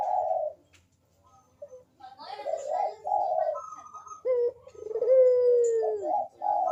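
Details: Turtle dove giving repeated low, hollow coos in phrases of varying length, with one long sustained coo, recorded indoors as a lure to get reluctant birds calling.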